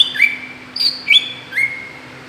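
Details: Greater green leafbird lure call for provoking other birds, a few clear whistled notes, high and falling then lower and rising, spaced about half a second apart.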